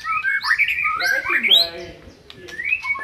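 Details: White-rumped shama song for luring a non-singing shama: looping melodic whistles, a grating buzzy note, a pause, then a single rising whistle.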